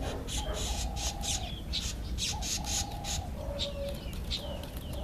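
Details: Black-eyed bulbul feeding on an apple. It gives brief bright chirps and downslurred whistles. Several drawn-out lower tones run alongside, over a constant low background hum.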